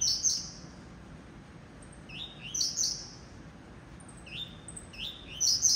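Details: High-pitched coleiro tuí-tuí style song from a caged blue-black grassquit: crisp buzzy bursts preceded by quick rising notes, phrases repeating every two to three seconds against quiet hiss.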